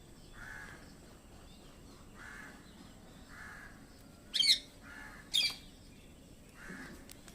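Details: Two loud, piercing parrot screeches about a second apart stand out over steady, distant crow-like cawing repeated every second or so.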